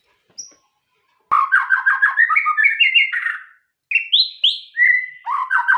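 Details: White-rumped shama singing a fast series of buzzy, chattering notes that climb gradually in pitch, a pause, then loud clear whistles stepping up and down, ending in rapid chatter.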